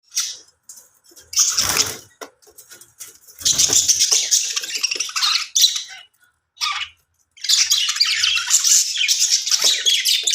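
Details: Budgerigars in an aviary give bursts of high, scratchy chatter and squawks, separated by short pauses, with a faint low rustle.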